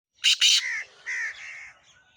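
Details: Black francolin calling: two loud, harsh, grating notes in quick succession, then softer rasping notes trailing off, with a faint whistled bird note late on.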